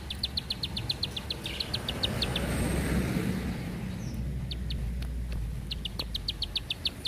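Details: Bar-winged prinia giving a long, tight clicking series: sharp high ticks repeated about four per second in a steady run, a pause, then further bursts over a low background rumble.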